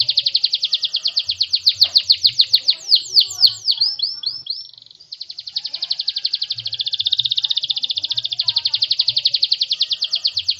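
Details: Singing canary delivering fast pulsed trills, a sweeping run of rising notes, a short steady whistle, then a long rapid rattling trill at high pitch.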